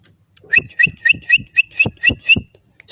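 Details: A close, loud bar-winged prinia utters eight crisp chirps spaced about a quarter second apart. Each note is a bright doubled tone over a soft thud.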